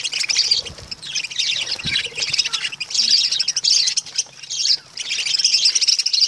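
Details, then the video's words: Lovebirds, small social parrots, chatter in a dense, shrill stream of rapid squeaky chirps and twitters, broken only by a few brief pauses. "Love birds"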